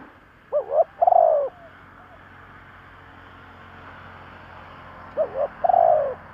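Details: Decoy spotted dove cooing for luring wild doves: two widely separated phrases, each with a wavering double lead-in followed by a long rounded coo. A quiet gap of several seconds between them holds only low background noise.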